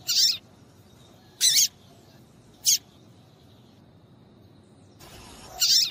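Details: Female double-collared seedeater calling, used to make males eager to sing; four high chips, two longer scratchy notes and a short tick, roughly a second or more apart.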